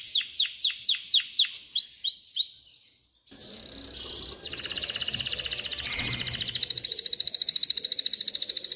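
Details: Canary male's song for teaching chicks to sing and preparing hens for breeding: descending whistled notes and curled upslurs, a short gap, then a sustained dense high trill that grows louder.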